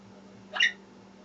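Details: Adopted female African grey parrot from a rescue, kept indoors and calling from another room out of sight; a single short harmonic squawk, rising then steady, lasting about a quarter second over a faint steady hum.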